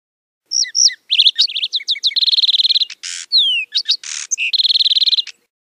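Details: Lark sparrow in full song, sliding whistles and chips interrupted by steady buzzy trills and harsh noisy bursts, a rich, varied sequence lasting about five seconds.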